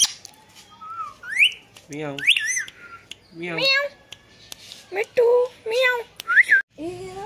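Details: Very talkative pet ringneck parrot saying words like 'mithu put': a string of varied whistled and speech-like syllables, some rising sharply, with short squawky notes between.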